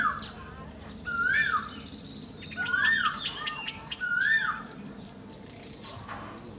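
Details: Common myna giving a repeated whistled call: three clear notes that rise and then drop, spaced about 1.4 seconds apart, with harsher overtones and faint background chatter between them.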